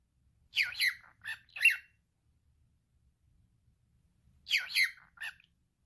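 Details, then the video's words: Talking male cockatiel kept as a pet repeats a short spoken word twice, each time as three raspy, buzzy syllables with sliding pitch, the repeats separated by about three seconds of quiet. "Calopsita falando. male cockatiel talking"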